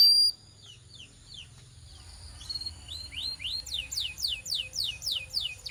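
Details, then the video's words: Canary training song meant to coach a quiet canary into singing: a brief high note, then near silence, before a series of repeated, downward-sweeping whistled notes builds up over the last three seconds. "Transform Your Quiet Canary into a Singing Champion!"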